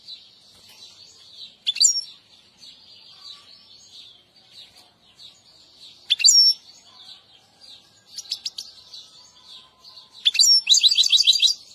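European goldfinch giving short, bright tinkling twitters in bursts every two seconds or so, over a steady high-pitched shimmering background.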